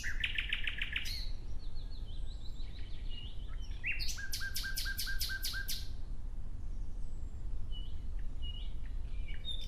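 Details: Nightingale in the wild delivering a quick run of repeated notes, a pause, then a loud rattling series of about seven strong, evenly spaced notes, with quieter chirps afterwards and a continuous low rumble.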